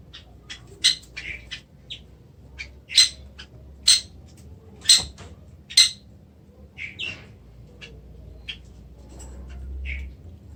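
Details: Indonesian kacer, or Oriental magpie-robin, giving short sharp chips and brief whistles, loud clicks repeated roughly once a second at first, then softer scattered notes, with a low hum underneath.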